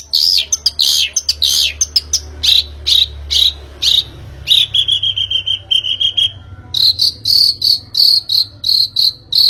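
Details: Lure recording of a Long-tailed shrike meant to make a bird sing: scattered sharp chirps, a gently falling whistled run, then a rapid string of bright high repeated notes.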